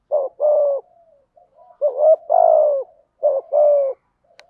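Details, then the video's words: Native spotted dove cooing as a lure to make a wild dove call: three close phrases, each a brief note followed by a sustained, gently falling coo, with soft low murmurs between them. "tiếng chim cu gáy kích bổi nhanh gáy nhất"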